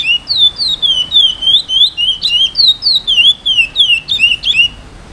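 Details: Chestnut-bellied seed finch, a caged eight-month-old male in brown plumage just starting to sing: clear whistled notes sliding down and up, repeated rapidly and steadily, roughly three per second, loud and close with little background.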